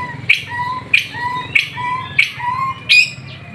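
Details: White-rumped shama bathing in the afternoon gives a repeated call about every 0.6 seconds: a sharp high note dropping into a lower, drawn-out whistle, five times in a row.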